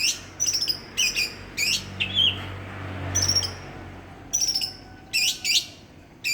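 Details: Village champion Greater green leafbird from East Java's Banyuwangi utters repeated bursts of high buzzy chips and short trills, roughly one per second, with a brief low hum in the background midway.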